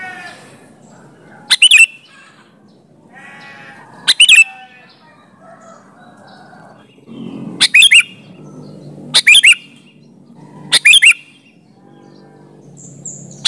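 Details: Lively sooty-headed bulbul song, no other species mixed in, meant to make other bulbuls call back: short bright bubbly phrases repeated every one to three seconds, with faint low rumbling and murmur beneath.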